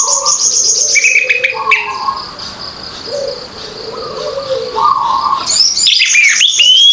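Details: Orange-headed thrush singing openly as a lure for birds that have gone quiet; sustained level whistles early, then a dense run of quick sweeping high notes building loudly toward the end, over a faint constant high drone.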